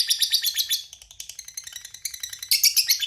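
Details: Lovebird in a rapid chattering trill, fast high pulses at roughly four per second, with a brief softer patch before the rattle resumes strongly.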